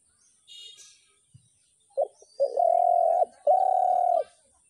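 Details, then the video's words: Spotted dove: after a faint chirp and quiet, a couple of short notes lead into two long, level, humming coos separated by a brief break. "ঘুঘু পাখির ডাক"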